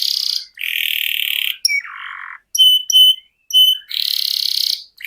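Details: Canary in the 'ngerol' rolling style: long sustained high buzzy rolls broken by a short lower grating note, then clipped whistled pips and another long roll.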